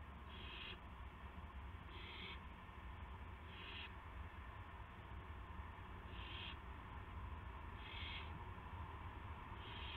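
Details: Owl calling on the evening of March 18 2016, around a gopher delivery: six brief, raspy hisses repeated roughly every one and a half to two seconds in an even series, with a continuous low background drone.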